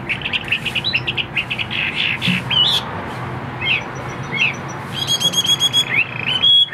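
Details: Chinese hwamei, a caged bird offered for sale, gives a jumble of short chirps and clicks. Clearer slurred whistles follow, then bright looping phrases near the end, over a steady low room hum.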